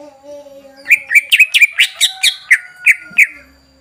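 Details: Greater green leafbird singing to stir other birds into song: about a dozen sharp, loud whistled notes in quick succession, some looping up and down, over a low steady hum.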